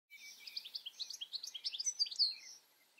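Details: European goldfinch singing: a quick run of tinkling, twittering high notes, steady for about two and a half seconds, ending in a brighter liquid flourish.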